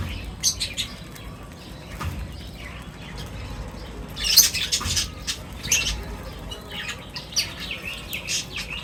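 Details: Birds feeding as a group give softer, scattered high chirps and tweets over a low background hum, with a louder flurry of calls partway through.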